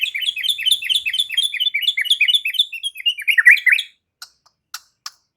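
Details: White-rumped shama delivering varied chattering phrases in quick succession, a jumble of short squeaky and whistled notes for four seconds, ending in a few isolated clicks.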